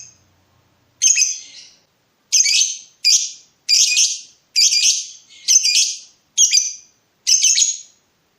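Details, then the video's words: Lovebird in breeding mood calling to provoke a rival: eight shrill, high chirping bursts, each about half a second long, repeated roughly once a second, with clean silence between them. "BURUNG LOVEBIRD MENCARI LAWAN || LB MANAPUN PASTI NYAUT BUNYI"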